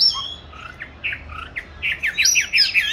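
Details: Caged oriental magpie-robin, raised since 29 July 2020 and recorded 22 March 2021, hung in a favoured spot for song training: varied whistled phrases that grow louder and rise into quick sweeping, chirping notes toward the end.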